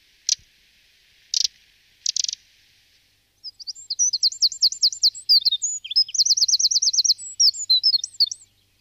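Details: Eurasian wren, used as a decoy call: a few dry, ticking rattles, then a loud, rapid outpouring of very high trills and twittering phrases running on for several seconds.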